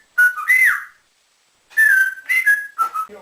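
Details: Captive male African grey parrot kept as a pet, which copies builder-style whistles, sounds, and speech, giving clear tonal whistles that rise and fall, two bursts separated by a second of silence, indoors.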